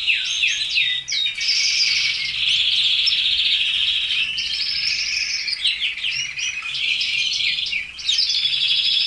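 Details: Red canaries kept by a keeper sing a dense, continuous warbling song of fast trills, buzzy rolls and bright high notes, with brief dips in the flow around one and eight seconds.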